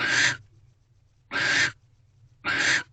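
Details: Barn owl in an owl box at night in February during mating, the female holding a rodent the male brought; three harsh, hissing screeches, each under half a second, about one per second, against a quiet low hum.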